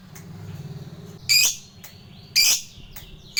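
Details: A lovebird call used as a lure to provoke a fighter lovebird into responding: harsh, high, shrill screeches roughly once a second over a low background hum.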